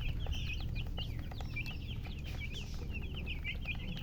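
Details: Chicks chirping: many quick, high, bent peeps tumbling over one another at a fast pace, against a low droning hum.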